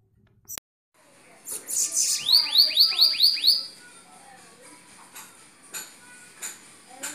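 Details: Several bananaquits singing in northeastern Brazil: a thin, very high buzzy trill, then a quick run of about seven sharp rising-and-falling whistled sweeps. Faint clicks and knocks follow.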